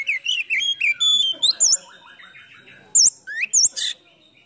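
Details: Oriental magpie-robin (kacer) lure song with full fill-in phrases, said to rouse silent or lazy birds into singing. Varied whistled notes, rapid sharp chirps and high looping flourishes come in bursts, followed by a quieter warbling stretch.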